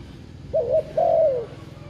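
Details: Single spotted dove phrase used to trigger a decoy bird: a short wavering double coo running into a longer, slowly descending coo, over a low background hum.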